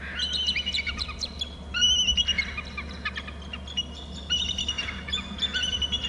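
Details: Pair of bald eagles at their Hornby Island nest, both alerting as the male flies in from the left: repeated high, thin whistled chitters and squealing notes in uneven bursts, steady hum beneath.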